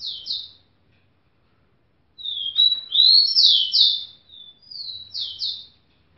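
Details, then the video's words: Female rufous-collared sparrow soliciting mating from a hand: a series of high, thin, downslurred chirps and trilled notes, some rising and twittering, given in short clusters with brief silences between. "Tico Tico Fêmea pedindo gala pra mão!"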